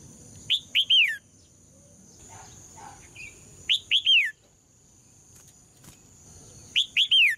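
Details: Female red-whiskered bulbul singing to provoke males into singing: three short phrases, each of two or three loud whistled notes with downward-slurred endings, about three seconds apart, over a steady high-pitched background hum.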